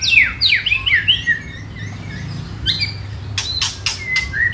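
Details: White-rumped shama singing to provoke rivals: loud, steeply descending whistled sweeps open the phrase, followed by softer warbled notes, a pause, then sharp clicks and a clear sustained whistle.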